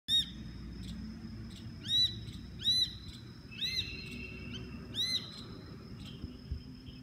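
A shikra gives five sharp, ringing, slightly downslurred notes at irregular intervals of about a second. A steady high insect whine and a low rumble run underneath.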